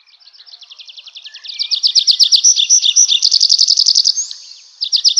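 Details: Nightingale singing at night in a forest: a fast, dense trill of sharp repeated notes, about four per second, building in loudness, breaking off briefly, then resuming abruptly near the end.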